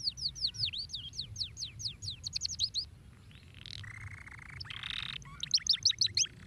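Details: Canary singing, used to stimulate other canaries to sing: rapid series of high, sharply sweeping whistled notes in quick succession, broken by a couple of harsh, buzzy flat notes, then another fast burst of sweeping notes.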